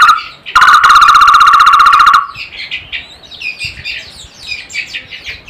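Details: Takur barbet calling in a strange but sweet voice: a loud, harsh, fast-pulsed trill held level for about one and a half seconds, followed by soft scattered high chirps from other birds.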